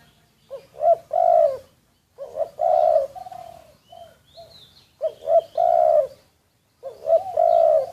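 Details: Spotted dove used as a decoy, recorded unawares: three loud two-part phrases of short rising notes and a long husky coo, with quieter brief coos in the gaps between them.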